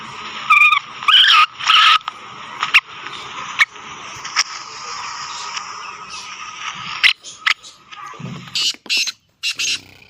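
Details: A wild female Black francolin in jungle gives a few harsh, scratchy notes in quick succession at the start, over a steady insect-like hiss and scattered clicks and knocks.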